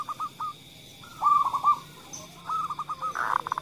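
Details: Female zebra dove of local stock, calling briskly and followed by a kerot call, used as a calling stimulant; stuttering coo notes lead into a longer vibrating phrase, then more clipped coos and a rough burst.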